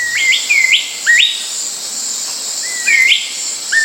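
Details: Blue-backed Manakin (Chiroxiphia pareola) in Brazil's tropical forest giving short, high whistled notes that slur sharply upward, in clusters about two seconds apart, over a steady high insect drone.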